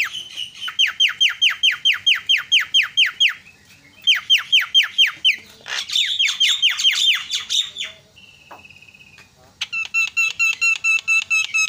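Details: Javan myna, presented as a loud champion singer in a tutor recording. Rapid rows of downslurred whistled notes repeat about two per second, pause, resume, then a flat buzzing tone and a fast even ringing trill.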